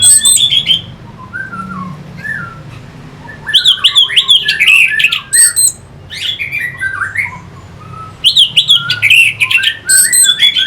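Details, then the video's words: Song of an orange-headed thrush used to stimulate fighting birds: varied loud phrases mixing harsh clicks, chatter and whistles, soft low slurred notes between bursts, constant faint low hum. "Pancingan SUara ANIS MERAH Pembangkit Figther Burung"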